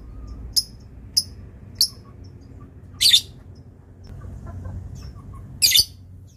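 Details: Lovebird used as a master bird for training: three sharp high ticks at even spacing, then two louder harsh screeching bursts with a quiet pause between them.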